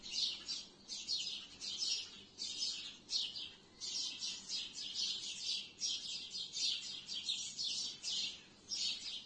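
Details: At dusk, sparrows perched in trees give a crowded chorus of sharp, high chirps, arriving in clustered bursts roughly every half second to one second, the loudness rising and falling steadily.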